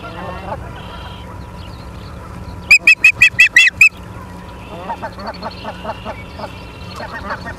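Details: Osprey at a nest in Charlo, Montana, on 28 August 2023 at 19:43, from a live nest camera: a quick burst of seven loud, sharp, piercing whistled chirps, with softer, lower, repeated calls before and after.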